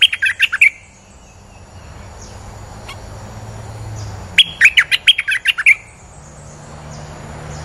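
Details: Bulbul (merbah) lure call of a male calling that draws females: two quick bursts of bubbly, chirping notes, about seven notes each, with a short pause between them, over a faint background hum.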